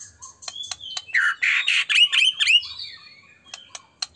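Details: Harsh, excited white-rumped shama song used to provoke other shamas: sharp ticking clicks around a dense burst of buzzy, rasping and whistled notes lasting about a second and a half, then more scattered clicks.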